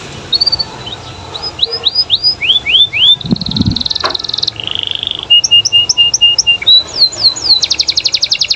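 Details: Caged canary in lively, varied song meant to prompt other canaries to answer: rising whistled sweeps repeated several times, then a buzzy trill, steady held notes, rapid chips and a fast dense rattle at the end, with a brief low thump.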